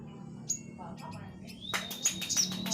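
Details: Orange-headed thrush song used as a training recording for other birds: a varied run of high whistles and sharp chirps that becomes dense and rapid in the second half, over a low background hum.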